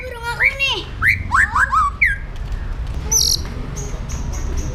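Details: Captive Indonesian white-rumped shama singing an aggressive song used to train other birds: loud looping downslurred whistles, several in quick succession, then thin high piercing notes repeated, over low background rumble.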